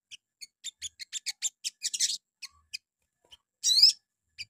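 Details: Crimson Sunbird (sogon) morning lure song for provoking other birds: a steadily repeated series of sharp, high chips building to a short rough burst, then a quiet gap and a loud wavering whistle.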